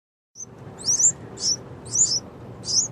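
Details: Two baby Yellow-vented Bulbuls calling loudly: four sharp, high chirps, each a brief twisting squeak, spaced about half a second to a second apart, over a low steady background rumble.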